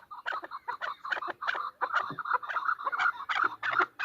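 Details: Female chukar partridge calling: rapid run of harsh, clucking chuck notes, about two to three per second, each with a bright buzzy overtone, steady and insistent throughout.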